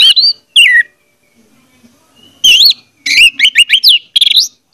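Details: Orange-headed thrush song played to make a silent bird sing; two opening whistles, a falling slur, a gap, then a rush of twisting, jumpy whistled notes ending on a rising note.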